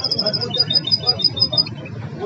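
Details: Goldfinch hybrid, praised as legendary, singing learned Moroccan song styles called Belghith, Jnan al-Hasira and Si al-Fahm: a string of high, thin repeated notes in quick succession over a low rumbling background hum.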